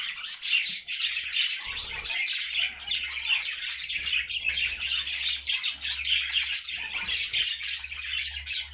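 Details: Cheerful flock of caged budgerigars singing together in a homemade cage: continuous busy warbling, chirps and scratchy squawks, with a steady low hum underneath.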